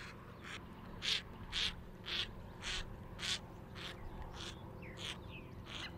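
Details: White-cheeked pintail: a series of rough, buzzy quacks repeated roughly twice a second, loudest early on and then fading, with a few faint thin whistles near the end.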